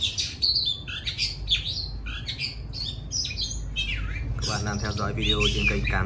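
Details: An Oriental magpie-robin kept as a cage bird, finishing its moult. It sings a varied series of whistled slurs and chirps. In the second half, low droning and voice-like sounds mix with the song.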